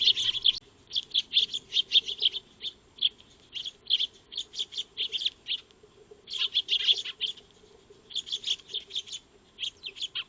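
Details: Several Eurasian tree sparrows (Maya birds) feeding in a backyard, solar trail camera, 2 March 2025; near-continuous chirping in quick series, pausing briefly around the middle, with bursts of several birds at once.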